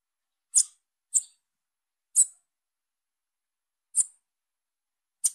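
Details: Five high, thin, clipped notes from a calling young female Bananaquit, the first few closer together, then slower; quiet surroundings.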